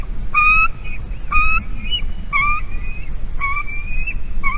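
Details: Female White-tailed eagle at her nest in Latvia, late afternoon on 22 March 2019, calling as the male arrives with a carp: short clear yelping notes, each with a strong overtone, repeated about once a second over a low rumble.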